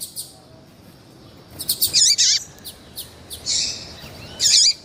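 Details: A female Double-collared seedeater, eager and calling to excite males, gives high chirps and a clustered run of notes, then a longer buzzy note and warbled chips.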